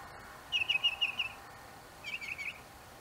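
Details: In an apple tree, a northern mockingbird sings two rapid strings of sharp, chattering notes, the second slightly lower and blurred, with faint background hiss.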